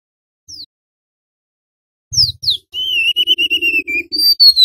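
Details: Golden-bellied gerygone, male and female, recorded in the wild singing gacor nyuling style as trapping-lure audio. A lone downslur, then two sharp slurred notes, a quavering sustained whistle, and bright falling whistles.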